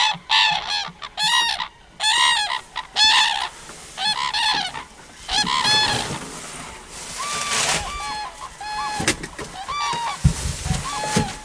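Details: Common crane calls: several loud harmonic trumpeting notes in quick succession, then quieter, more distant answering calls beneath rising background noise and a few sharp knocks.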